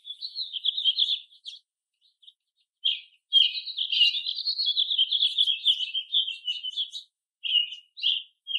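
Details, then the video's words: American robins of different ages foraging, calling and singing in a chorus with other birds: a run of rapid warbled, chirping phrases, mostly continuous from about three to seven seconds, with short pauses before and after. "American Robin - Bird Song and Call"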